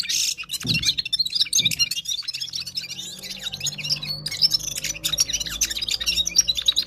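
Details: Gulsar from Parachinar singing hard: a few loud clicks open a busy stream of high twittering and chirping notes that runs on with only short breaks.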